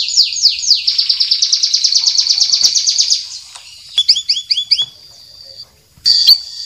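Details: White-rumped shama, champion or young spotted-plumage bird in a training recording: a long rapid high trill of falling notes, a pause, then five quick downslurred whistles and a final bright burst of song.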